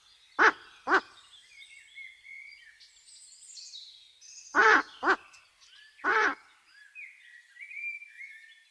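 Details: Wild owl in nature giving short, harsh, rasping calls: a pair near the start, then a tight pair and a single call about five to six seconds in. Faint higher chirps from other birds sound between them.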